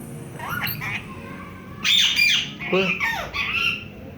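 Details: Pet ring-necked parakeet in Pakistan talking in Urdu/Hindi, saying people's names: harsh, nasal squawked syllables rising and falling, with a human voice speaking to it indoors.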